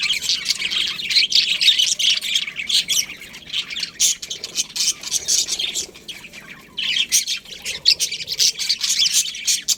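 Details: Colony of budgerigars giving a busy, continuous chorus of scratchy chirps and squawks, dipping briefly in the middle before the chatter swells again.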